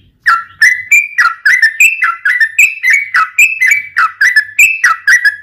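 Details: Sooty-headed bulbul pouring out a continuous rapid song, used as a lure for other bulbuls: steady series of liquid, whistled two-part notes alternating higher and lower, with no pauses.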